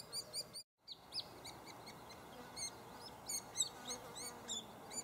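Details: White-headed Woodpeckers at a nest cavity in a snag in Lassen Volcanic National Park: short, sharp, high chips repeated several times a second in an uneven chatter over soft hiss, as nestling chirping grows louder while a parent arrives to feed.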